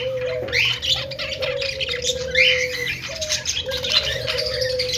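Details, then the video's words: Budgies chattering contentedly: bursts of rasping warble and sharp chirps every second or so, with a long low steady tonal note underneath. "cute budgies making happy sound"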